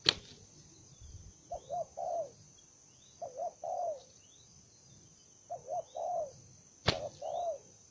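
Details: An aggressive newly caught spotted dove repeats soft coo phrases of a quick upslurred note and a longer falling note, about every two seconds, with sharp clicks and faint high chirps.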